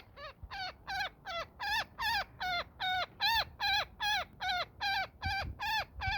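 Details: Woodpecker caught in a net during a rescue, giving harsh, ringing calls repeated steadily about two and a half times per second, each note dropping in pitch, with faint handling noise below.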